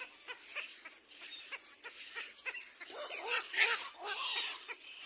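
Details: Little black cormorant attacking its own young, with soft clicks early, then a cluster of louder arched squawks in the latter half over steady high-pitched hiss.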